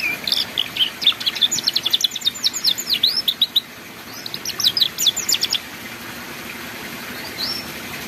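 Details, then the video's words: Canary singing ngeriwik-style as tutoring material for young canaries: a burst of quick, sharp chirps about four per second for roughly five seconds, then a pause and one faint final note. "MASTERAN BURUNG KENARI PAUD BELAJAR BUNYI NGERIWIK"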